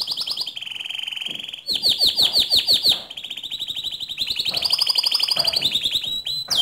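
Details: White canary singing continuously: successive fast trills at slightly different pitches, some rising, strung together with little pause.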